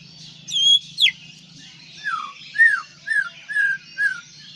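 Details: White-rumped shama from Aceh delivering a few high whistles followed by a series of lower, slurred downward notes spaced about half a second apart, with a steady faint low hum beneath.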